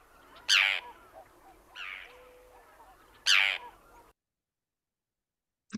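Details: Forster's Tern giving harsh, grating, unbroken kerr calls, less two-parted than the Common Tern's, two loud ones about three seconds apart with a fainter one between, then silence.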